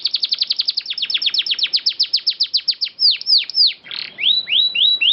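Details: Clear canary song for training other birds: a long rapid roll of sharp descending notes slows into wider swooping whistles, then a harsh burst and rising slurred notes.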